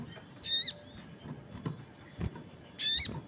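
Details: Crested jay calling as other birds respond: two loud, rasping, buzzy notes about two seconds apart, with faint low knocks between them.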